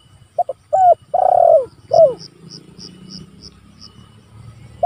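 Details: Luring and training recording of a spotted dove calling rivals: paired short notes, a falling coo, a long rolling coo and a sliding end note, followed by high ticking and low background hum.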